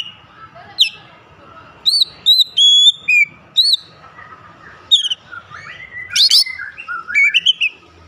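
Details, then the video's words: Oriental magpie-robin giving loud, clear whistled notes, some short and bright, some drawn out, building into a richer, warbling phrase. "Kacer gacor memancing cepat | Kacer malas bunyi langsung gacor"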